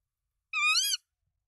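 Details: Tawny owl at a nest holding three eggs in Denmark, 24 March 2024, with the male bringing rodents to the female: one harsh, harmonic-rich call of about half a second that rises slightly and then dips, in a quiet setting.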